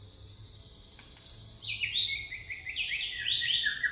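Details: Pastol-type white-rumped shama singing fighting-sparrow fill: very high, thin chips at first, then a rapid jumble of sharp, twittering notes rising and falling.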